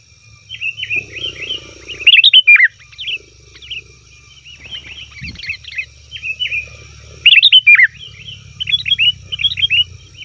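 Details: Noisy sooty-headed bulbul calling, used as a lure for wild birds in the forest: scattered groups of bright, warbling chirps, a few sharper downslurred notes, with quiet gaps between phrases and faint low hum.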